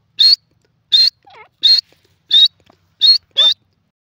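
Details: Grey francolin in Pakistan, enjoying itself in mud: loud, high, piercing notes repeated about every three quarters of a second, with a few softer swooping notes in between, against an otherwise quiet background.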